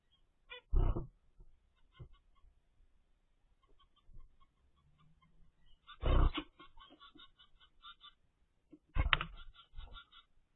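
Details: Zebra finch chicks from a first clutch, ten days old, in the nest give raspy, harmonic begging calls in short bursts, with low thumps and rustling.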